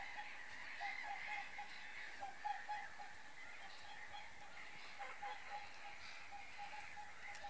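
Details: Whooper swans in Finland, flying off and leaving a lake, give hoarse, trumpeting honks, several birds overlapping in an irregular series, over a steady background hiss.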